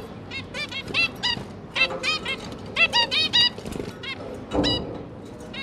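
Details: Zebra finch parents with three young babies, busy feeding them, 5 September 2022; rapid series of nasal, tinny calls in tight groups, with a brief low thump near the end.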